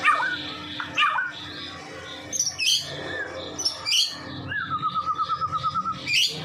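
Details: White-rumped shama of the Medan type in full, persistent song, used to lure other shamas: sharp high chirps and squawky notes, then a fast, even trill of about a dozen repeated whistled notes, over a low background hum.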